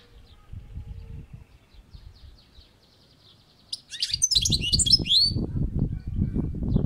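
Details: European goldfinch on a balcony: after a quiet start with faint twitters, a loud burst of rapid, liquid twittering and sweeping notes, over increasing low rumbling background noise.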